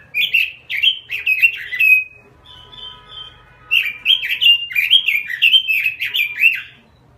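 A robin gives quick bursts of bright, high chirping notes, rising and falling, in two runs separated by a thin, steady whistled tone.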